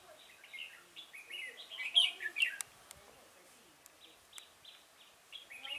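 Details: Red-whiskered bulbul recorded while being trapped with a decoy at Chùa Hương, 5 March 2018: a run of short, lilting whistled notes rising and falling, a louder cluster midway, with sharp clicking knocks in between.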